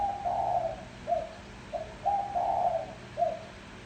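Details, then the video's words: Low rolling coos from a spotted dove kept as a decoy for attracting wild birds. A long purring coo, short detached notes, then another extended coo, all mellow and evenly pitched. "Tiếng chim cu gáy gù gọi hay cực chất dùng kích bổi gù kich mồi"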